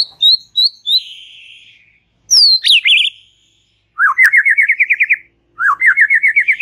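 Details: White-rumped shama song, relaxed style: clear high whistled notes, a descending glide, a sharp upward-sweeping whistle, then two bursts of fast, evenly repeated rising trills with short pauses between phrases.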